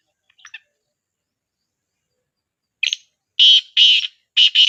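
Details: Black partridge calling, used to prompt a silent partridge to call: a brief scratchy note, then after a gap a louder note and a run of harsh, buzzy repeated phrases in close succession with no other sounds.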